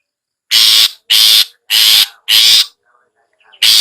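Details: Long-tailed shrike giving ngetet-style sound, used as a lure for sluggish captive shrikes: five loud, harsh, broadband rasping bursts, each about a third of a second, with short silent gaps between them.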